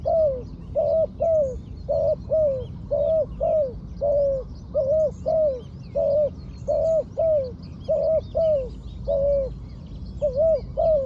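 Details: A trained decoy spotted dove on the ground coos tirelessly, delivering harsh paired notes, each arching then dropping, in a long even series, with distant twittering birds and low rumble beneath.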